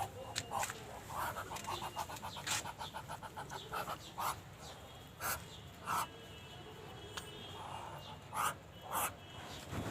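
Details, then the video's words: Muscovy duck giving breathy, raspy, dragon-like hisses, first in a quick panting run, then in separate loud huffs about a second apart. "muscovy duck sound like a dragon"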